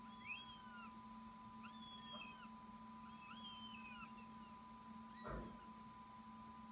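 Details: Northern goshawk fledgling, already out of the nest, coming back to snatch food. Several high whistles, each slurring downward, sound in quick succession over a constant humming drone, with one brief thud near the end.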